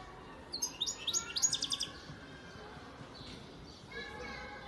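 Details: European goldfinch bred in 2019, from Antalya, Turkey, singing a lively cluster of high, rapid chirps and twitters for just over a second. A steady, lower tonal sound appears near the end.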